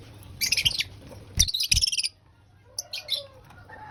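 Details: Pet lovebird at breakfast, eating: two bursts of harsh, high chirping in quick succession, then a pause and a softer, shorter chirp with a faint lower tonal note.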